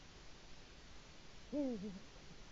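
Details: One deep eagle-owl hoot, dropping in pitch with a short trailing second part, from a male Eurasian eagle-owl calling for its mate at a Latvian nest camera, dawn of 5 March 2018.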